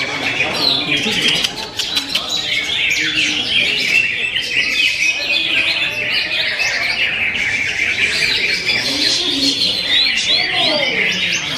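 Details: Continuous rapid song from a Greater green leafbird, a tumbling stream of high chirps, trills and sharp whistled slurs with no pauses, faint human talk in the background.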